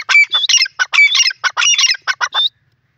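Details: Teetar, a francolin, in forest, giving a rapid burst of rough, squawking, chattering notes for about two and a half seconds, then falling silent; no background noise.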